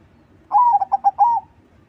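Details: Crossing-type zebra dove singing heavily, used as a lure for other doves: one cooing phrase of a long slurred opening note, three short clipped coos, then a long falling final coo, with a quiet murmuring background.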